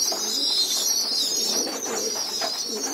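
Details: Young pigeons gathered on a loft floor for group feeding give continuous shrill, squealing begging notes, thin and unbroken, over faint low cooing sounds.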